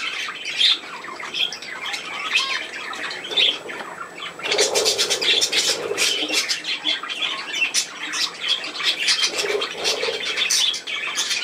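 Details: Budgies at play indoors, with quieter scattered chirps that swell into loud, continuous scratchy warbling and squawking, plus some fluttering.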